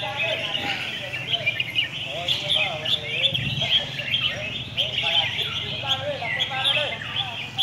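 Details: Red-whiskered bulbuls competing in song at a field in Hat Yai district, Songkhla, southern Thailand; rapid chirpy phrases and short whistled slurs pile over one another, with crowd voices and low rumble beneath.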